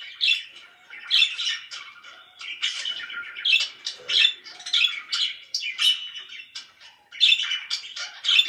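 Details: Pet budgerigars chattering loudly, rhythmic bursts of squeaky chirps and short squawks roughly every half second, forming a lively continuous warble.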